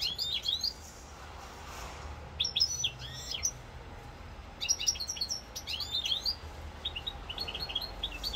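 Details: European goldfinch song recorded in Corsica on 7 November 2022: separate bursts of high twittering and tinkling notes, ending in a quick repeated trill, with a faint low background hum.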